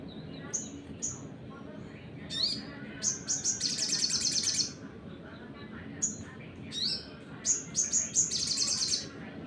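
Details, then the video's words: Sunbird song played to provoke and agitate other birds: scattered high piercing chirps, then a fast buzzy trill of about two seconds, more chirps and a final rattling burst, with a faint background hum. "PANCINGAN SOGON NEMBAK !! buat burung lain emosi"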